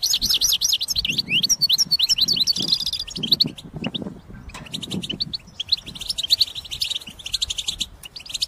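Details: European goldfinch song intended for trapping: high tinkling notes and sweeping slurred whistles at first, then sparser clipped twitters, over soft low thumps and handling noise.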